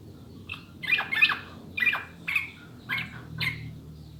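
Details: Sooty-headed bulbul song played to stimulate caged birds: five or six short, bright whistled phrases spaced roughly half a second apart, over a soft low background hum.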